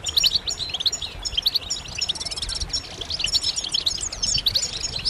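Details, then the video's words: European goldfinches chirping together, with mating and readiness calls used to prompt males to sing. Continuous bright, tinkling twitter, including quick buzzy trills near the middle and end, with a soft low background hum. "بتبتات جماعية رهيبة للحسون فعالة في تحفيز الحسون على التغريد والهيجان"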